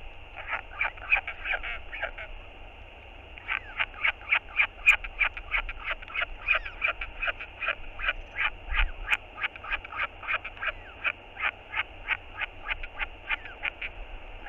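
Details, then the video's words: Northern royal albatross chick persistently begging its father for a meal on a nest camera: a long series of short nasal pulses, about three per second, after a brief pause near the start. "小信覺得很餓~不停跟爸爸索食 QT feels very hungry~OGK feeds two meals"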